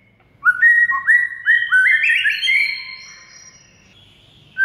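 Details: Training song (masteran) of a white-rumped shama meant to make a mute shama sing: after brief quiet, a series of loud rising whistled upslurs builds into a richer warbled phrase that fades, with a short note at the end.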